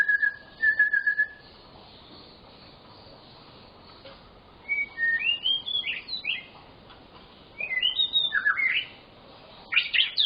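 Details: White-rumped shama song intended to stimulate quiet shamas: a brief low whistle, a pause, then bursts of high twisting, slurred whistled phrases at intervals.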